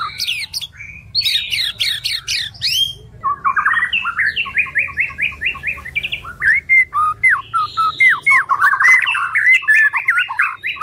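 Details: White-rumped shama (murai batu) singing a loud, varied song offered as training song for other songbirds: bursts of high chattering notes, then a fast run of short whistled phrases repeated several times a second, with sharp slurred notes near the end.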